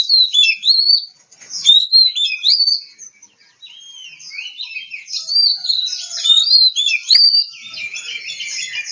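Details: Oriental magpie-robin (kacer), Kebumen in Central Java: loud, clear whistled song of quick rising and falling slurred phrases, strung together with brief pauses, then a denser run of varied notes.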